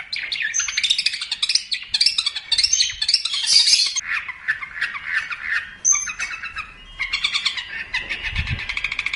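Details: Long-tailed shrike song used to train other songbirds: dense, continuous chattering of high buzzy and scratchy notes with brief whistles, barely pausing, and a short low thump near the end.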